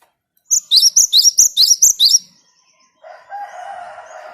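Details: Java sparrow song meant to spur other birds into singing: eight bright, piercing high notes in quick succession, then a pause and a lower, rough, drawn-out call in the background.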